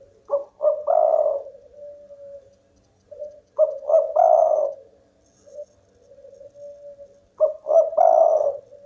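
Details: Spotted dove, a local bird singing vigorously enough to set rivals calling: clipped double coo leading into a drawn-out throaty coo, phrases about every three and a half seconds, with softer drawn coos filling the gaps.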